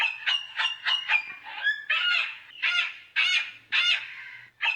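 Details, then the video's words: Cockatoo gives a run of harsh, grating screeches, first short and rapid, then longer drawn-out rasping shrieks spaced about half a second apart; the calls alone fill the recording. "Canto da Cacatua - Som da Cacatua"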